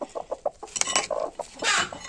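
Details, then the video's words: Village hens guarding their eggs in Bengal make loud agitated clucks while someone reaches in to take the eggs; rapid choppy notes, then a harsher drawn-out squawk, with rustling and clattering. "মুরগিগুলো তো চিৎকার করছে, দেখি মুরগির কাছেও থাকতে পারে।"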